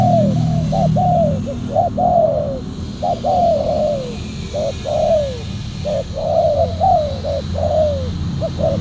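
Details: Cooing of spotted dove during trapping with a silver decoy dove. Brief notes lead into longer downslurred hoarse coos, repeated in quick series against persistent low rumbling noise.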